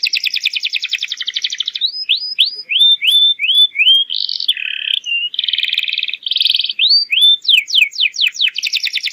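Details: Domestic canary singing a lure song to train young birds: a fast rolling trill, rising whistled slurs, buzzy rattles, then rapid downward sweeps and another quick trill.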